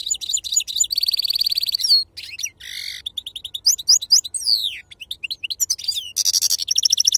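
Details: Caged wild-type European goldfinch of the Serfati song style, singing a rapid, varied song of buzzy trills, twittering notes and sweeping downslurred whistles, all high-pitched, with fast repeated phrases and few pauses.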